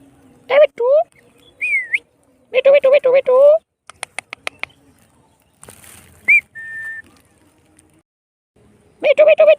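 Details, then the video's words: Indian ringneck parrot talking, repeating mitthu and mammi: choppy, nasal syllables in quick runs, a brief upward whistle, a string of crisp clicks, then a short whistled note and another burst of words. "Parrot saying mitthu,mammi"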